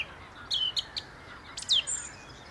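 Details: Short burst of treetop song from a song thrush near the Inn River: a couple of slurred whistled notes, a pause, then sharp higher notes sweeping downward.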